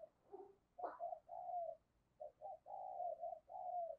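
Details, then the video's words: Spotted dove decoy calling to draw in other doves, Đồng Son style: a faint, distant series of soft, hollow coos in short groups, with one brief sharp note and a low background hiss. "Chim Cu Mồi Giọng Đồng Son gáy Gọi, Kích Bổi Cực Nhạy"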